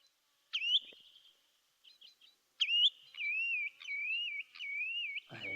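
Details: Spotted Redshank, a declining species of concern, giving sharp, upslurred whistled 'chu-it' calls, then wavering high whistles; a call mainly uttered in flight, often when moved on; a brief low thump ends it.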